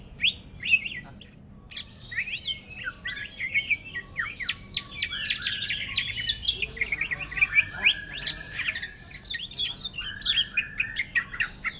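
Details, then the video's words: Greater green leafbird singing in the energetic ngentrok style, mimicking an orange-headed thrush: a dense, nonstop stream of high whistled notes, sharp upslurs and chattering trills, with short pauses only near the start. "Cucak Ijo Ngentrok Gaya Anis Merah"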